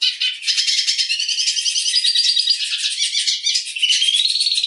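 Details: Black siskin, Spinus atratus, singing a long continuous twittering song of rapid buzzy trills and chattering notes mixed with thin rising and falling whistles, high-pitched and steady throughout.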